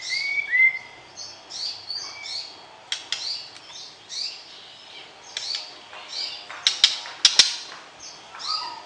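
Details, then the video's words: White-rumped shama mating song used to stir the opposite sex before pairing birds in a breeding cage: varied short whistled and chirped phrases, some rising and falling, broken by sharp clicking notes and brief pauses. "PERJODOHAN Murai Batu, PANCING Birahi Lawan Jenis"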